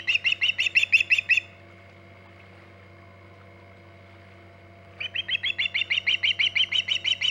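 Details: Osprey on its Hog Island nest, mid-morning 14 August 2019: a rapid series of clipped, chirping whistles, about six per second, breaks off into near silence for several seconds, then resumes just as fast, with a steady low hum throughout.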